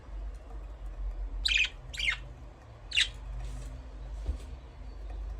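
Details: Budgerigar making three short, raspy chirp bursts about a second apart, followed by quieter faint chatter, against a steady low background hum.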